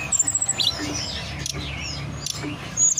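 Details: Mountain forktail (tledekan gunung) song used as a lure to set birds singing and into breeding condition; sharp high chirps, then brief sweeping whistles separated by short gaps over a low background hum.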